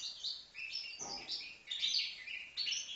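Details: Young European goldfinch, five months old, Livno, delivering a dense, sparkling twitter of high chirps and quick liquid trills in an unbroken run, with a faint low thump in the background.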